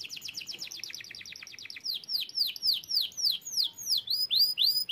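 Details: Canary delivering a fast rattling trill of closely packed notes, then a slower tour of loud, clear, downward-curving whistles repeated about three times a second.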